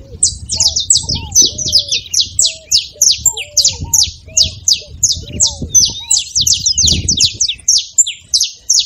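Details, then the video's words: Saffron finch delivering a lively song meant to stimulate a silent canary: fast, continuous run of high sharp chips in tight clusters, with low curved whistles repeating beneath and faint rumble. "canário da terra com belo canto pra foguea seu canário frio"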